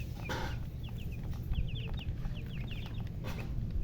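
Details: Colourful chickens making silly chirping sounds: short, high, downslurred peeps in loose runs of two or three, over a steady low rumble of background noise.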